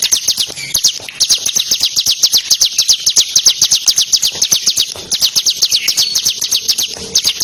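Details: Bar-winged prinia, crystal type, song recording used to train competition songbirds: continuous rapid series of high sharp notes, about four per second, steady and insistent with little variation.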